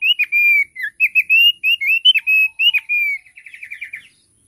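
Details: Bright whistled song of a thick-billed heleia: drawn-out clear notes and quick flicked phrases, ending in a softer, fading trill of rapid notes.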